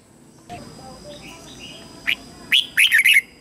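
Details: Red-whiskered bulbul serving as a lure, singing to bring wild birds in to fight: soft distant chirps first, then a sharp note and a loud burst of quick, slurred warbling notes.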